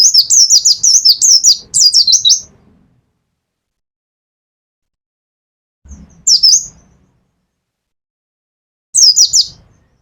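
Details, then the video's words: Mountain white-eye from Pacitan, a cage bird, giving nembak song: a long opening stream of rapid, shrill chirps over about two and a half seconds, then two short separate bursts of high notes spaced some three seconds apart. "pleci pacitan nembak nembak pleci dakun"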